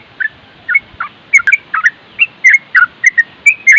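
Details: Trucuk, the Yellow-vented Bulbul, singing in nropel style without pause: liquid slurred whistles and chirpy notes in quick uneven bursts, clear against a quiet background.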